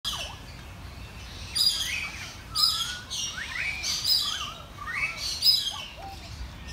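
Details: A hungry royal spoonbill at Featherdale Wildlife Park gives wheezy, hissing bursts about once a second, mixed with thin, sliding squeaks and whistles.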